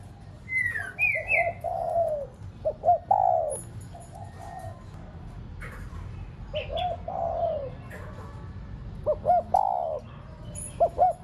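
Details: Captive decoy spotted dove cooing to excite other doves: several soft low coo phrases, each short clipped notes into a fuller drawn note, against background hiss, with sharp high chirps from other small birds.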